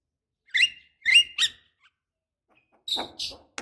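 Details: Asian pied starling female call to prompt a male to sing: three squeaky, slurred high notes, a short silence, then harsh grating bursts.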